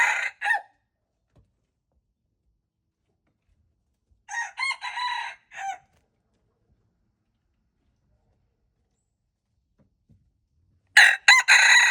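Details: Red junglefowl crowing on 26 February 2025: the tail of one crow at the start, a full harsh, broken crow near the middle, and a third crow starting at the end, separated by long silences.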